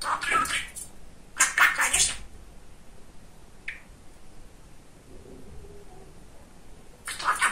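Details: A male talking budgerigar named Kesha, described as very chatty, chatters in raspy, high-pitched, speech-like bursts, with a single short chirp in a quiet stretch before the chatter resumes.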